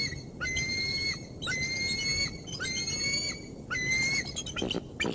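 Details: At the Decorah North nest on 3 March 2019, a bald eagle arriving with prey gives sustained, slightly rising whistles repeated roughly once a second, each opening with a short stutter, then a final burst of clipped chips.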